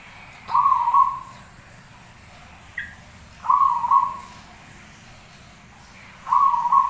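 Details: Zebra dove singing actively, its song used for training other birds: three soft, warbling cooing phrases near the middle of its range, each about half a second long and spaced roughly three seconds apart, with a faint short note between, over quiet background hiss.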